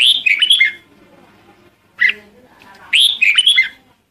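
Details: A red-whiskered bulbul's lure song for calling its flock: two loud, bubbling warbled phrases with one sharp note between them, over a soft low background murmur.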